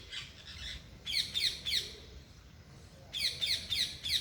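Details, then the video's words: Loud parrots calling outdoors in a natural setting: harsh, high squawking chirps in quick bursts, a short series at the start, then a pause, then another rapid run of four sharp calls. "loud parrots chirping/Natural parrot sounds/parrot calling sounds"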